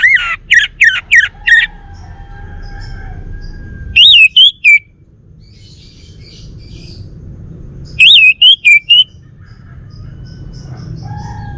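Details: Male Bali orange-headed thrush kept at home repeats short phrases of four to five rich, wavering whistled notes about every four seconds, with soft lower chirps between phrases.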